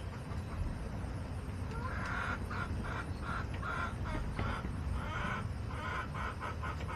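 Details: Backyard hens in August giving drawn-out, nasal calls in a rhythmic series of broken notes, with constant low rumbling noise underneath.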